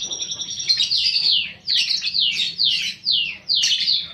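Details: Lovebird of the paud balibu fighter kind on a lure recording for rousing fighting lovebirds: rapid shrill chatter in repeated descending sweeping phrases, each about half a second long.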